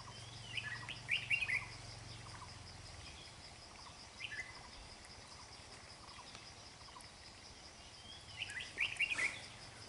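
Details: Adult red-whiskered bulbul with a dark bib, caught by trapping, giving two short, bubbly, chirping phrases about eight seconds apart, with a steady high insect-like hiss and a low hum behind.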